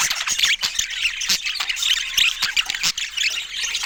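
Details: Budgerigars filmed in Scandinavian daylight, their chatter a mix of scratchy squawks and squeaky notes broken by short clicking bursts.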